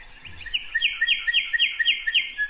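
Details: Lark Bunting song: a run of sweet, repeated chirping notes alternating high and lower, about three per second, loud and rhythmic, one trill after another, reminiscent of Brewer's sparrow but slower and louder.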